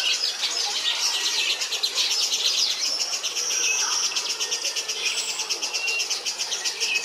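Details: European bee-eaters at Antwerp Zoo on 9 July 2018 in a busy chorus: many overlapping high, rolling chirps and trills blend into a steady, pulsing chatter with no pause.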